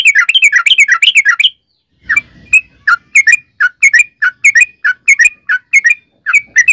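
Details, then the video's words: Sooty-headed bulbul singing energetically, a lure for making other bulbuls call: a quick warbling run of tumbling notes, then a brief low rustle and a series of separate short whistles. "trucukan gacor ROPEL PANJANG buat pancingan trucukan agar bunyi jadikan burung trucuk gacor SEKETIKA"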